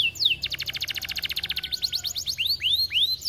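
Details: Canary in vigorous song meant to provoke other canaries to sing: a fast trill of rapidly repeated notes, then sweeping down-slurred whistles, over a low background hum.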